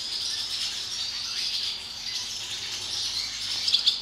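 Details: Many barn swallows swarming into an equipment barn as a door opens: a dense, continuous high twittering chorus with a few louder sharp chirps near the end.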